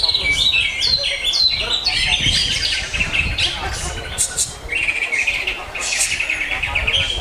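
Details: Greater green leafbird song opening with a series of descending whistled notes, then continuing with fast, high chattering and trilled phrases over low background noise.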